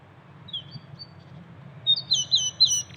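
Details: Canary singing in nature: after a faint opening, a quick run of bright, high, clear twittered notes in the second half, repeated in short bursts over a low background hum.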